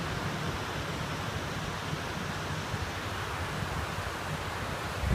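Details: Steady low rumble of wind and distant surf with broadband outdoor noise and a brief louder knock at the very end, and no animal calls.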